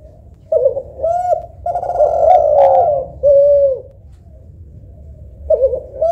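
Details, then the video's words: Spotted dove, either a local tekukur or a Kelantan derkuku, judged for how soft and melodious its cooing is. Low mellow coos come in short phrases. A longer, wavering, louder middle note is followed by a clean steady coo, then a quiet pause. "Tekukur Lokal Vs Derkuku Kelantan ‼️ Manakah Yang Lebih Syahdu & Merdu Yah Lur ?"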